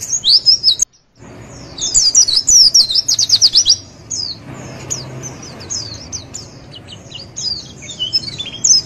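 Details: Javan white-eye singing a rapid, high-pitched jumble of thin chirps and twittering trills with a brief silent break near the start, a master/lure song meant to prompt other white-eyes to answer and learn.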